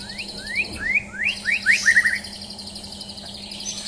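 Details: Champion white-rumped shama during a mental test: a quick series of rising whistled slurs, about seven notes climbing and accelerating over two seconds, over a steady high background trill and a low electrical hum.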